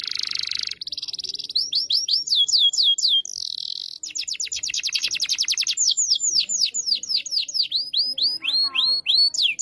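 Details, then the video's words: Young canary learning to sing while kept beside a strongly singing tutor canary: fast rolling high trills, rapid sweeping whistled notes and buzzy rattles in varied phrases, with quick note repeats. "KENARI PAUD BELAJAR BUNYI EFEKTIF DI TEMPEL KENARI GACOR PENUH EMOSI"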